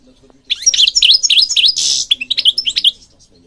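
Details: European goldfinch singing, Moroccan recording for stimulating caged birds: steady run of high, lilting chirps, interrupted by a short buzzy rasp, then more quick twitters.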